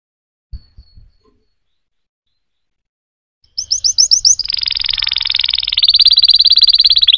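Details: After a few soft knocks and a silent gap, a canary bursts into upslurred whistles followed by a dense, fast buzzy trill that continues to the end.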